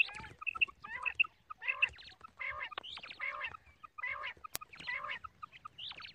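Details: Quail in the morning, probably captive or farm-kept, giving a busy series of harsh, harmonic calls with paired bright notes, repeated roughly every half second amid other overlapping calling.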